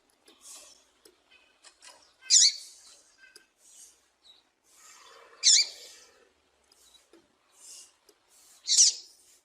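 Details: Call of a female double-collared seedeater, used to warm up and fire up males for tournaments. High, piercing chirps repeat roughly every three seconds over quieter scattered notes.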